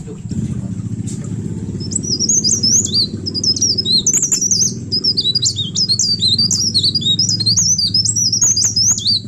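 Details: Mountain leaf warbler singing 'receh' style to draw in other birds. After about two seconds of low hum and clicks, rapid high-pitched twittering notes burst out and continue densely to the end.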